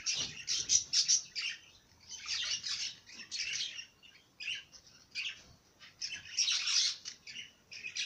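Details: Singing bird giving clusters of sharp, high twittering notes separated by brief gaps, with an uneven, stop-start rhythm throughout.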